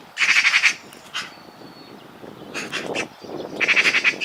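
A Eurasian magpie gives two harsh, rapid rattling chatters of about eight dry notes each, with a few softer scratchy notes between them.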